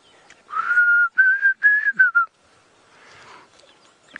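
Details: A Diederik cuckoo, a summer migrant, calls near Djuma Game Reserve, South Africa, on a hot late afternoon on 19 January 2017. It gives a quick run of five clear whistled notes, each sliding slightly upward, over about two seconds, with faint rustle.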